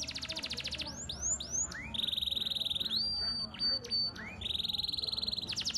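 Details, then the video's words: Canary song in an elaborate style: rapid trills, three falling slurs, a long buzzy trill beside a clear high whistle, then a return to the fast trill. "Suara Burung Kenari Gacor cengkok mewah"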